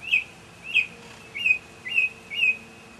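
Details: Mockingbird in a May 2007 evening concert repeating one whistled, slightly down-slurred note five times, about two per second, clear and steady against quiet background.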